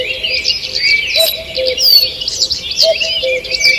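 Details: Forest birds in full morning song on 2 June 2023: overlapping chirps and clear whistles fill the high range, while a deeper double note comes in twice.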